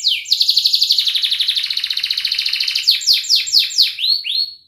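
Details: Young-canary training song: a long, rapid buzzy trill of even pulses lasting nearly three seconds, followed by several quick downward-swept whistles and two rising slurred notes at the end.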